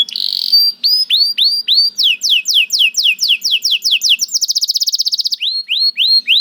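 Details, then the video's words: Canary song mixing upswept whistled notes with quick series of descending chirps, then a very rapid even trill before returning to rising whistles. "The Lazy Canary Sounds Immediately After Hearing the Sound of the Canary This One || Voice of Canary"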